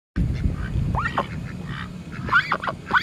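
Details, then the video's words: Female Pekin duck begging for food, giving a few squeaky, rising-then-falling calls, the clearest cluster near the end, over a steady low rumbling background. "damg!!!!! that duck sure can squeak!!!!!!!!"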